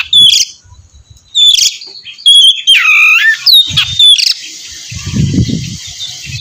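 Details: Oriental magpie-robin singing to draw another bird into song: scattered clear whistled notes, a dipping slurred phrase and harsh bursts, followed by a long hissy buzz with low thumping underneath.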